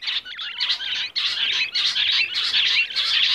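A rock bush quail gives dense, high, chattering twitters in bursts of about a second, almost without pause, with no other sounds behind.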